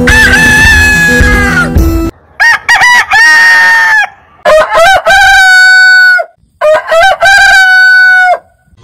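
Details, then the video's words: Heritage-breed roosters crowing; a noisy opening crow, then three clear crows each with stuttered starting notes and a long level ending, spaced about two seconds apart. "Biggest Rooster Sound Alarm - Long Roosters Crowning Suara Ayam Berkokok Panjang"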